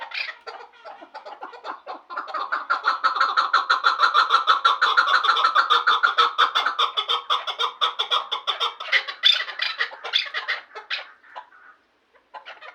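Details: Two chukar partridges of Vanj: quieter scattered chucks build after two seconds into a loud, rapid, rhythmic chuck-chuck series, then break into uneven harsher bursts and fade to near silence before a last faint note.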